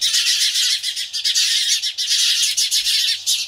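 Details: Alarmed house sparrows facing a Cooper's hawk keep up a dense, unbroken wall of shrill, scratchy chirps and squawks, several birds overlapping with barely a gap.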